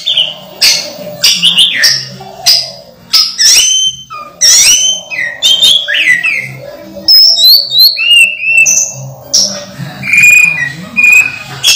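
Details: A pet orange-headed thrush, mid-moult yet still singing strongly, gives a long, varied run of high whistled phrases, slurred sweeps and sharp chips, with a steady low hum beneath.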